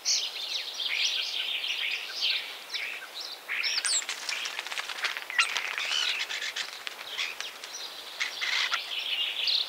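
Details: Common starling (Sturnus vulgaris) song mixing high whistled phrases, a sweeping upslurred note and bursts of rapid clicking, with short quieter gaps between phrases.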